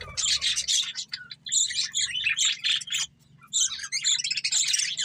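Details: Budgerigar breeding pair chattering in quick, scratchy warbled bursts, separated by a clear pause near the third second, with a low background hum.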